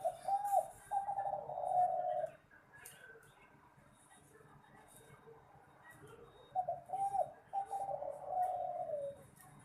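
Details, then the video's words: Terkukur, the spotted dove, in competition song: two full phrases about six seconds apart, each a short hooked coo followed by a long burry, slightly falling purr, with quiet pauses and faint clicks between. "Seni suara burung terkukur/derkukur suara sedap untuk pertandingan"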